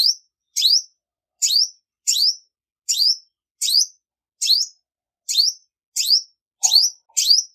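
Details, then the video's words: Female olive-backed sunbird, recorded without background noise, giving high, sharp downslurred chirps at a steady pace of roughly one every 0.7 seconds, about eleven in a row, with a faint low sound near the end. "Tiếng chim Hút mật 5 màu mái không tạp âm | Olive-backed Sunbird Female"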